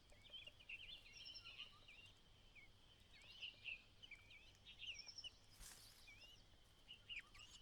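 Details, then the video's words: White-browed laughingthrush mother calling her only chick out of the nest as it fledges: repeated wavy chirps in bursts, some rising and some falling, over a constant high whine, with a brief rush of noise midway. "The only child White-browed Laughingthrush fledges on its final day.独生子白颊噪鹛，最后一天离巢，鸟妈妈在外面叫它出来"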